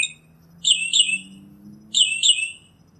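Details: Northern mockingbird giving two high, rough, slurred phrases about a second and a half apart, each a brief buzzy burst that drops slightly in pitch. Quiet background apart from a faint low hum.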